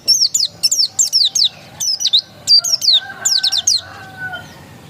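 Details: Oriental white-eye of the dakun type, described as still original, delivering rapid bursts of high, sharply descending chirps in quick clusters, each slurred note sweeping downward, with brief pauses between phrases.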